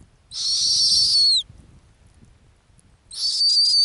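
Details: A nesting female snowy owl in the Arctic gives two dense, raspy, high-pitched screeches. The first, longer one closes with a sharp falling whistle. Light low-frequency background noise.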